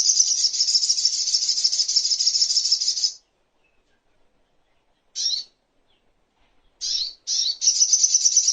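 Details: Little spiderhunter recorded as a master track for songbirds opens with a fast, shrill, even trill of about three seconds. After a silence come scattered sharp chips, then the rapid trill starts again.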